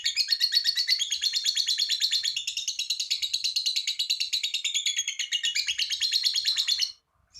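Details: Long ngekek song of a lovebird, meant to draw other lovebirds into singing: dense rapid chattering trill running nearly seven seconds, slightly falling, then cutting off abruptly into silence.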